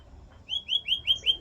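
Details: Canary giving five short, clear up-slurred chirps in quick succession, about five per second, over faint low background hum.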